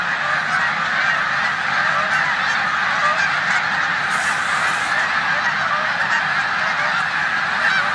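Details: Snow geese resting in a New York corn field at Savannah on 14 March 2020 before heading to the Canadian tundra, Canada geese among them; continuous massed yelping honks, with a brief hissing burst midway.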